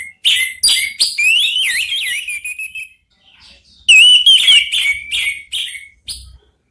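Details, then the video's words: Three orange-headed thrushes answer each other in song. A warbling run of wavering, slurred whistles and sharp chips comes first, then after a short silence another loud burst of sweeping whistles and clipped notes. "3 ANIS MERAH BERSAHUTAN"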